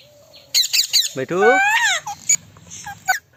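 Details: Male Indian ringneck parrot talking: a soft steady tone, then quick choppy syllables and a long, rich, rising-then-falling voiced phrase, ending in a few short sharp squeaks over quiet background hum.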